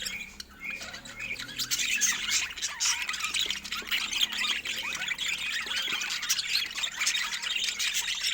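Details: A group of pet budgies at play produce steady, high squeaky chatter, a jumble of short chirps, clicks and squawks from several birds calling at once throughout.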